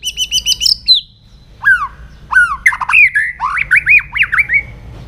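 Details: A White-rumped shama sings at dawn while training its voice. It gives quick high chattering notes, then sliding downward whistles, then a rapid series of looping, up-and-down whistled syllables.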